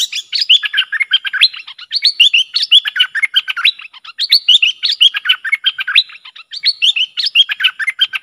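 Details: Bulbul, worked up against rival wild birds and used as a lure, sings continuously. Rapid, tumbling chirpy phrases of bright up-and-down whistled notes run together without pause across the whole stretch, with no other sounds.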